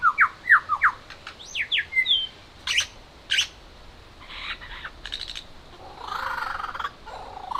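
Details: Near Mount Sugarloaf, Australia, a superb lyrebird trills its own mating call and mimics a whipbird, a chainsaw and a kookaburra: quick rising whistles and trills, sharp whip-like cracks and a harsh, rasping burst.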